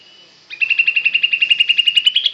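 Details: Sooty-headed bulbul (kutilang) singing a mimicked grey-cheeked bulbul (cucak jenggot) phrase: a fast, even trill of bright pulsed notes, about eight per second, holding steady then rising at the end, after a brief quiet start.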